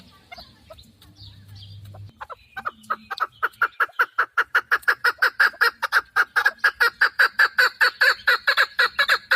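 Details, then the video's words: Chukar partridge kept as a hunting bird, starting with faint scattered notes, then breaking into a long run of loud, rapid, clucking chuck notes that quicken and grow steadier toward the end. "Модкабки шикори - Keklik - الحجل الطائر"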